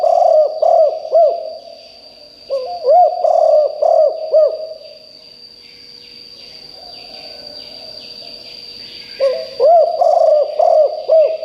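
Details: Spotted dove decoy calling wild birds: three groups of low, hollow, arched coos, each a run of four or five notes, separated by quiet gaps, with a steady thin high tone throughout.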